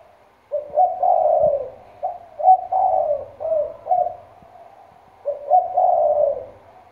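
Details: Decoy spotted dove from Trà Vinh, Vietnam, with a deep, loud 'thổ sấm' style voice. It gives low, mellow cooing phrases in three groups, each a short note rolling into a longer, falling coo.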